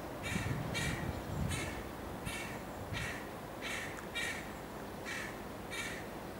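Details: Juvenile carrion crow showing white feathers, Amsterdam, Netherlands, 29 July 2013: a run of about ten rasping, rough caws at a fairly even pace, roughly two per second, over steady low urban rumble.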